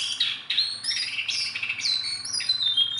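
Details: A tame Sunda bulbul that can be handled by hand keeps up lively song: crowded, bright, whistled notes. Each note slides up or down, running together without pause.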